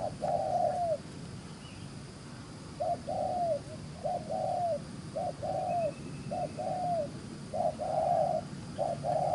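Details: Spotted dove, wild-caught from the fields, giving rapid cooing: short hollow coos with slightly drooping ends, one opening note, a pause, then a quick string of about nine evenly spaced coos, with faint background hum.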